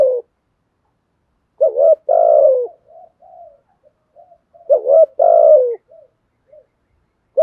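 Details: Spotted dove giving its "thúc" song combined with "gù" cooing. Two loud phrases, each a hooked note then a drawn-out falling purr, with soft faint coos trailing between them and a clipped note at the end.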